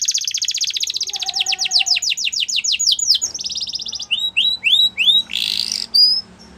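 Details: Canary delivering a long rapid trill of descending notes that speeds up, then a rattling tour and spaced rising whistles with a harsh burst near the close; faint background hum.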